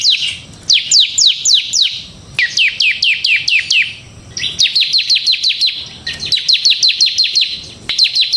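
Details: Bar-winged prinia (ciblek semi) delivering ngebren gacor song, used as a training lure: repeated phrases of loud, steeply falling chip notes, six or more per run, with short breaks.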